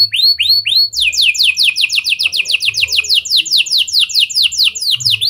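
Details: Canary delivering a lovebird and prinia (prenjak) style phrase as a singing lure for other canaries: a few upswept whistles followed by steady, rapidly repeated loud downslurred notes about five per second.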